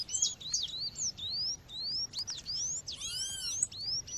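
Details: Female Double-collared Seedeater calling to stir up males, set against nature sounds: thin, high upslurred chirps repeated irregularly, with a brief arched whistle from another bird near the end.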